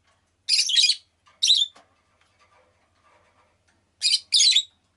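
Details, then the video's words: Pet rosy-faced lovebird chirping in two bursts of loud, buzzy, high double notes, separated by a quiet gap of soft, faint ticks. "Lovebird Chirping Sounds"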